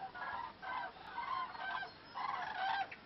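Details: Huge flock of migrating cranes flying north over Zutendaal, Belgium, on 08/03/2014 (recordist thinks sandhill cranes but is unsure). Loud, rolling, trumpeting calls overlap in bursts about once a second.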